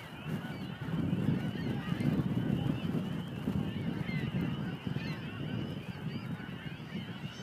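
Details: Thick clamour of snow geese at a Montmagny marsh on 17 April 2012: many birds honk at once in steady, overlapping high notes, with a strong low-pitched rumble underneath.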